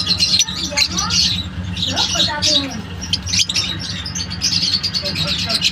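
Lovebirds give a busy chatter of shrill, high chirps and squeaky twitters, overlapping constantly, with a low steady hum underneath.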